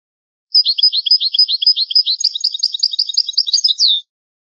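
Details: Long old-style song of a European goldfinch: a steady rolling trill of repeated high tinkling notes turning into varied twitters and ending on a slurred downward note.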